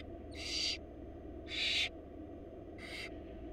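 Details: Nestling barn owls, wild, in Florida, fed by their mother in a nest box: three loud, noisy screeching hisses in quick succession, the middle one strongest, over low electrical hum.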